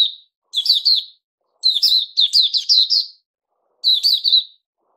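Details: Puteh Raja bulbul recorded 08052021 after a fruit juice, mealworm and health-drink feed: three bursts of rich, warbled notes around a bright middle pitch, each under a second, separated by short silences.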